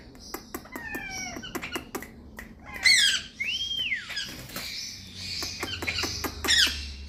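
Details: Pet rose-ringed parakeet chicks calling: a busy mix of harsh squawks, rising and falling whistled notes and quick clicking sounds, the loudest squawks bunched near the middle and end.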